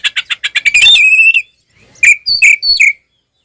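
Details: Oriental magpie-robin giving its fighting song to stir up other magpie-robins: quick accelerating chips sliding into a long whistled note, a pause, then several bright, ringing whistles.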